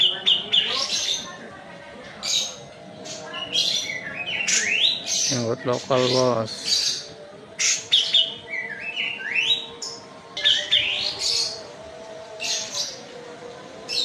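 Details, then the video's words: Medan kapas tembak white-eye singing energetically, a long string of sharp high chirps, rising whistled slides and short trills at a fast, uneven pace, with a brief low buzzy sound near the middle and a steady background hum. "KAPAS TEMBAK MEDAN GACOR ISIAN SUARA PEDAS NGEROLL SPEED NEMBAK EDAN"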